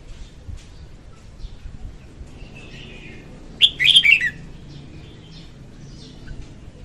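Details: Red-whiskered bulbul hen in song, played to attract birds into traps: one loud, brief burst of tumbling, chirpy whistles near the middle, with fainter scratchy notes before it over a soft, steady background hiss.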